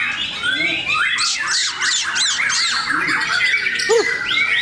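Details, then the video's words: White-rumped shamas competing in a singing contest at Bharata, Cikeas: a dense wash of overlapping loud song, with a run of five sharp, repeated scratchy notes in the middle and a brief low rising whistle near the end. "Serunya pertarungan murai batu"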